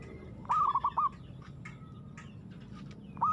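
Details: Local zebra dove in aggressive song: one quick phrase of clipped, ringing cooing notes set against steady background noise, with a new phrase just starting at the end.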